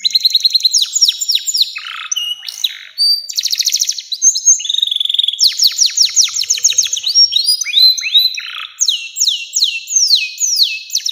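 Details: Canary, long 'nembak panjang' song used as a master recording for young canaries: eleven seconds of nonstop high trills, buzzy rolls and rapidly repeated descending whistles in changing phrases.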